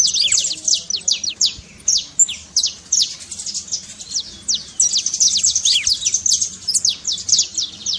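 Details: A saffron finch trills, a sound meant to rouse a canary that is not singing; crisp, high, descending chirps in irregular runs, denser in the second half.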